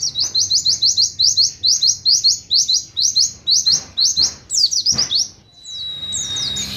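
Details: Oriental white-eye in 'nembak sejalur' style, a steady train of sharp, high downslurred chips roughly two per second, ending in a jumbled flourish and a thin sustained whistle.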